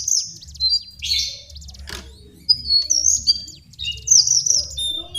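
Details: Lesser shortwing, or cingcoang coklat, singing for bird-training lure audio: high, rapid warbled bursts and thin whistles separated by short pauses, one sharp click near two seconds, and a low hum beneath.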